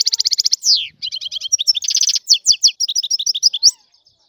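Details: Free-living European goldfinch, described as Algerian, singing a rapid, tinkling song: a fast trill of bright repeated notes, a quick downslurred whistle, then varied twittering and chirping phrases, ending with a rising note.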